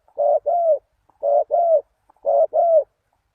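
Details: Spotted dove calling, used to lure wild doves: three paired coos, a short note then a longer arching one, each pair about a second apart, with silence between.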